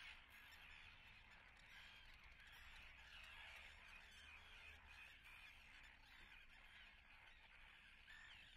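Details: Common terns at their nests in Atlit, recorded 10 June 2010. The colony gives a dense, harsh, overlapping chatter throughout, with occasional sharper squawks and a faint low hum.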